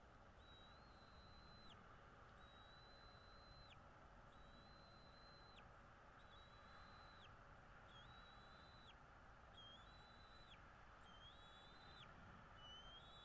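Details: Bald eagle calling at a nest in northeast Florida, early morning of 13 February 2022. A long series of about nine drawn-out, flat, high whistles. Each lasts near a second and ends in a downward flick, spaced about every 1.5 seconds over steady hiss.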